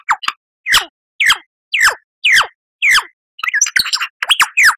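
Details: Lyrebird song used as a training recording for cage birds to copy: loud, pure notes sweeping sharply down, repeated roughly twice a second, breaking into a faster jumble of varied chirps and whistles toward the end.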